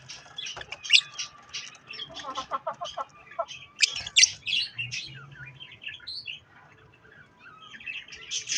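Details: Budgies eating strawberries; busy warbled chatter of quick chirps and short clicking notes, bursts at one and four seconds, softer twitters later over a faint low hum.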